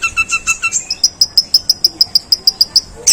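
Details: Rough sparrow-call mimicry by a long-tailed shrike: a quick run of buzzy, two-toned chirps, then a crisp series of bright, high clicks repeated about six times a second.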